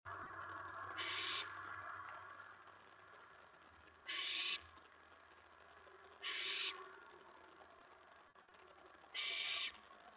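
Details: Owl at a nest during a mouse delivery, 4:46 AM on May 15, 2017: four harsh, hissing screech bursts, each about half a second, spaced two to three seconds apart over a low steady hum.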